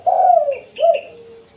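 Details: Spotted dove (tekukur) giving its 'kukur kuk' single-kuk call, used to lure wild doves: a long hoarse falling coo, then a shorter coo, with brief higher chirps from another bird overlapping.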